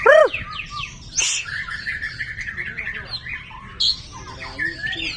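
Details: White-rumped shama, described as a champion of all classes, gives a loud arched note, then a rich run of varied whistles, chatters and sharp high chips. Faint voices are heard in the background.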